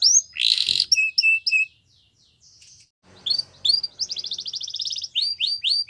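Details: Yorkshire canary singing a training song for young canaries, starting with a loud buzzy burst and whistled chips, a short pause, then a rapid rolled trill and repeated swooping notes.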